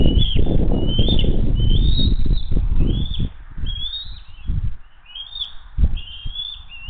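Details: Bald eagles of the Hays family arriving for dinner on June 22, 2023: rapid high chirps and short whistled slurs, nearly three a second, partly masked by strong low wind-like rumble that eases after a few seconds.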